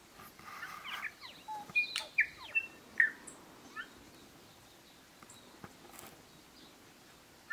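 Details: Bellbird (korimako) recorded in native scrub and bush near Greymouth, New Zealand, on 8 April 2023: about a dozen bright, chiming notes and slurs over the first four seconds, then mostly quiet hiss with a few distant clicks.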